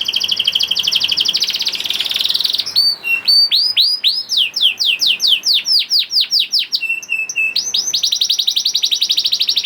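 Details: Young canary singing as a lure to coax reluctant canaries into song: a high buzzy trill gives way to fast tours of rising, sweeping notes, a brief steady whistled note, then a dense rapid roll.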